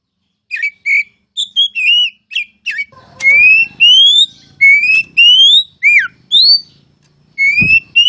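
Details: Kacer, the oriental magpie-robin, singing masteran ngeplong: quick short chirps give way to long, pure, upward-sliding whistles repeated about every half second. A low rumbling background noise sits beneath the middle section.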